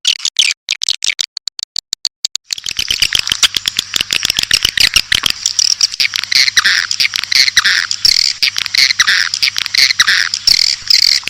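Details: Edible-nest swiftlet call played to attract swiftlets: sharp clicks at first, then a steady high buzzy twittering with rapid ticking over a faint low hum.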